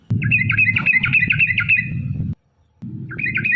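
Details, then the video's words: Yellow-vented bulbul giving long rapid lure song to provoke other bulbuls; dense bubbly chattering notes run for two seconds, break briefly, then resume, over a low rumbling background. "trucukan gacor TARUNG ROPEL PANJANG pancingan trucukan agar bunyi"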